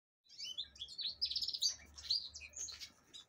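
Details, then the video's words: Captive-bred black-throated canary, subspecies impriga, from Angola, hatched 6 December 2023, singing a rapid, varied warble of high twittering notes and short trills running almost continuously for three seconds, with a faint low hum beneath. "Crithagra Atrogularis Impriga. Cantor de Angola."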